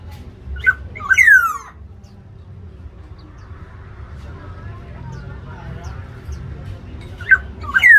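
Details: Black-naped oriole in an aviary, fighting to defend or seize territory; a sharp note and a harsh falling squeal open the recording, quiet faint sounds follow, and a similar call pair returns at the end.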